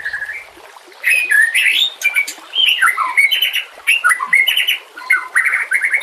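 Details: Song of a white-rumped shama for training or luring other shamas, with nature sounds and trickling water: loud varied whistles, sweeping slurs and sharp high clicks, delivered in bursts separated by short pauses over a soft hiss.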